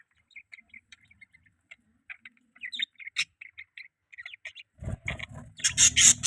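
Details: Budgie giving sparse, high, clipped chirps that grow busier, ending under a loud burst of broadband rustling noise.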